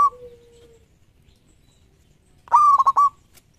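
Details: A single loud stuttering coo from a champion local zebra dove used as a master lure: a held tone chopped into rapid pulses, preceded by the fading low tail of an earlier note.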